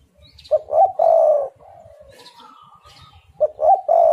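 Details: Spotted dove, 'angin Topan' style recording used to lure other doves into calling: quick stuttering coo notes leading into a long, rich, low cooing phrase, repeated twice, with faint high chirps and a thin whistle in between.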